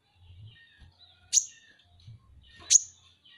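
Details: Two loud, thin, high-pitched chips from Van Hasselt's sunbird, locally kolibri ninja, about 1.4 seconds apart. Each is crisp and brief, with soft low background noise.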